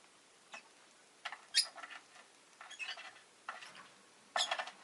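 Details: Pet rosy-faced lovebird chirping: a series of short, harsh, shrill bursts arriving irregularly about once a second, two of them louder and sharper, over a quiet background.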